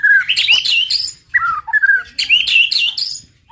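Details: Loud, rich song of a white-rumped shama in the 'tembakan' style, used to provoke rival birds: rapid mixes of fluted whistles and harsh, scratchy high notes arrive in two dense bursts with a pause between.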